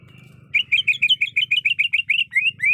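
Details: Female greater green leafbird in breeding condition calling a male: a fast series of about thirteen short clear chirped notes, evenly spaced, following a faint steady tone, with low hum beneath.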